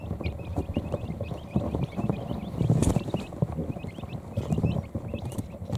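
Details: Newly hatched quail chicks in a brooder settling beneath a heat plate after eating and drinking; a run of quick, thin peeps in a loose series over low rumbling and a brief burst of rustling noise.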